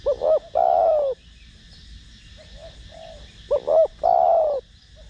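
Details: Cooing spotted dove in Thổ Đồng voice, meant to lure and stimulate other doves: two strong phrases of a brief double note then a long falling coo, with soft distant coos between.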